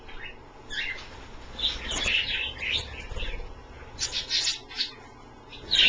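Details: Pet Australian parrots having a bath in a dish of water indoors; clusters of squeaky high chirps, with a rapid run of sharp notes near the end over soft background rustle.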